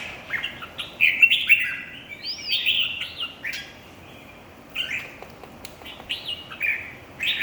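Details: Red-whiskered bulbul in a song contest, giving chirpy whistled phrases with an arched, rising-then-falling note, then a quiet gap of over a second before further short bursts resume.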